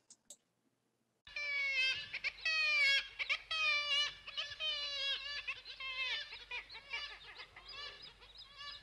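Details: Black-legged Kittiwakes, named after their call, give nasal, rising-falling wailing calls about one a second, several birds overlapping in a busy colony chorus.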